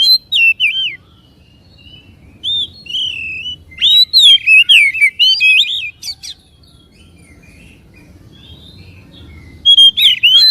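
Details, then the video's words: White-rumped shama singing to provoke a caged bird into song and tail display: bursts of loud, quick, warbled whistles and twisting notes, broken by several seconds of near silence between phrases. "PANCINGAN SUARA KACER AGAR CEPAT EMOSI DAN BUKA EKOR"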